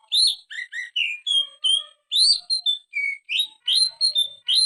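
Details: Greater green leafbird, a strong singer with a full ngetrok-style song used to train other birds: clear, loud, high whistles, some slurred upward, others flat and pure, delivered in short separate notes with brief gaps and no background noise.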